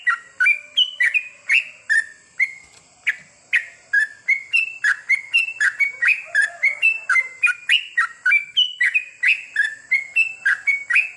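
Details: Sooty-headed bulbul singing at night for goklik therapy: long, lively sequence of short whistled notes bouncing between higher and lower pitches, steadily repeated about three to four per second, with a constant faint high hum.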